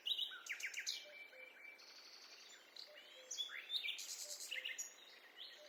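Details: Forest birdsong with overlapping singers: sharp chirps, downward-sliding whistles and buzzy high phrases come in bursts, separated by a quieter stretch, over faint low pulses in the background.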